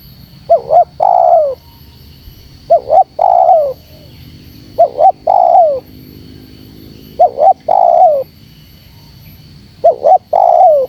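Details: Spotted dove call used as a lure to provoke wild doves: two short hooted notes, then a longer steady coo that falls at its end. Four phrases, about every two and a half seconds, over a faint steady high whine.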